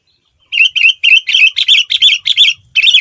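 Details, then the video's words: Lure song of a male sooty-headed bulbul meant to get other bulbuls to respond, close and loud: about eight bright, slightly buzzy chirped notes in an even run, after a short silence. "Kutilang Super Gacor Full Isian Mahal, Semua Burung Kutilang Ikut Nyaut dengan pancingan ini"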